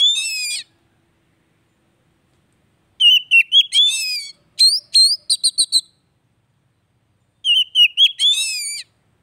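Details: Oriental magpie-robin song played to stir a bird that has stopped singing back into song: bursts of clear whistled notes and rapid sweeping chirps, high and varied, separated by silent gaps of about two seconds.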